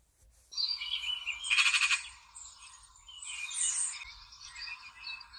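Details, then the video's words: Magpie dancing and singing, a varied run of high-pitched warbled, chattering phrases with a harsh rasping burst near the start, fairly continuous. "MAGPIE Dancing and Singing"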